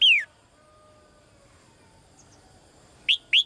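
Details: Caged female bird calling to the male: a loud whistled note sliding down sharply, then after a long quiet gap two more quick falling whistles close together; steady faint background hiss.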